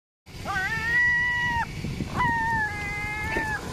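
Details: Seagulls calling together, with two long, steady, tonal wails, each rising briefly and then held level for more than a second, carrying rich harmonics, over a low rumbling background.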